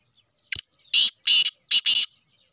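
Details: Sheedi cross black francolin calling: a short click, then four harsh rasping notes in a fixed pattern, the final pair nearly joined, with no other sounds.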